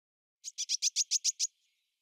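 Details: European greenfinch song: a quick, dry trill of eight bright, evenly spaced notes over about one second, ending with a faint trailing note; no other sounds.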